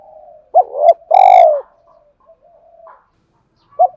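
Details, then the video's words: Decoy spotted dove cooing to stir fighting and call a mate, aimed at a wild-caught bird that refuses to coo: a short coo, a long loud burry note, soft trailing notes, then one short coo at the end. "tiếng cu gáy mồi thúc đấu và gáy gọi hậu hai"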